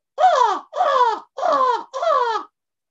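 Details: An American Crow in a North Texas backyard gives four loud, harsh caws, each about half a second long, evenly spaced and slightly falling in pitch, with nothing else heard.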